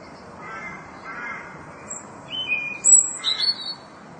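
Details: Korean bush warbler singing: a faint low warble, then thin high whistled notes that rise and slide, brightest near the end, over a soft steady background hiss.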